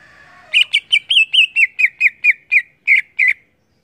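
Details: Greater green leafbird (cucak ijo) singing actively in the ngeplong style: a run of about twelve loud, rich whistled notes, each with a quick downward twist, gently falling in pitch and spaced roughly a quarter-second apart, over a quiet background.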